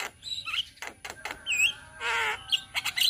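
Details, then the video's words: Indonesian Javan myna flock in an ombyokan chorus, raw training material: short whistles and squeaks, several sharp clicks, and a drawn-out nasal, harsh squawk in the middle. "Masteran Jalak Kebo Bahan - Jalak Kebo Ombyokan - Kicauan Burung Jalak Kebo Indonesia"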